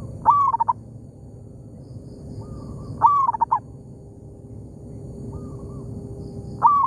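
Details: Oil palm plantation, local zebra dove answering a decoy bird: three loud coo phrases, each a rising note breaking into quick staccato notes. Softer, farther coos sound between them, against constant low background noise.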